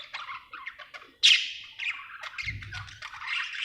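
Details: Happy budgerigar chattering, quick scratchy notes rising to a sharp loud squeak, then continued buzzy warbling, with a low soft rumble in the background midway.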